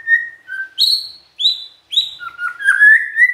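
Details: Magpie-robin song meant to make other magpie-robins respond at once: clear whistled notes, a short level whistle, then higher descending slurs around separate pauses, ending in a rapid warbling, rising chatter.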